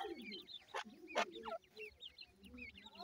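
Francolin chicks give a busy chorus of thin, high, rising and falling peeps, several birds overlapping, with two sharp knocks and a low murmur underneath.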